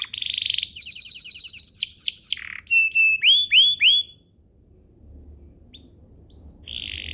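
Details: Canary song used as a lure to get other canaries singing quickly: fast trills of rapid notes, then rising and falling whistled slurs and upswept notes, ending in a pause with faint short chirps and a buzzy note.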